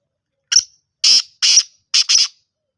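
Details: Black francolin calling in Sindh, Pakistan: a short sharp note followed by four harsh, grating, broadband syllables, the last two closely paired, all within about two seconds, with no other sounds.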